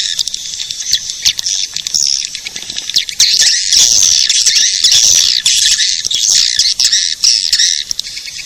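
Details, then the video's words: Edible-nest swiftlet lure call meant to draw swiftlets in, heard as a busy, shrill chorus of chattering chirps that grows louder and denser after the first few seconds. "Suara pemanggil burung walet"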